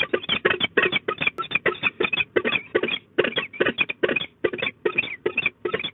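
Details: Peregrine falcons at De Mortel, Netherlands, 24 March 2022 at 16:11, during an exchange between the pair, with the female screaming at a stranger: harsh, rasping calls repeated evenly about three times per second throughout.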